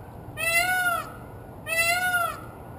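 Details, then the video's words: Peacock calling from a rooftop: two loud, drawn-out wailing cries, each rich in harmonics and slightly rising then falling, separated by about a second of quiet background hum. "Rooftop Peacock"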